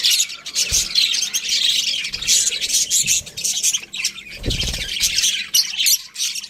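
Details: Several budgies squawk and chirp in a dense, harsh chatter, with a few dull low thumps, one longer near the middle.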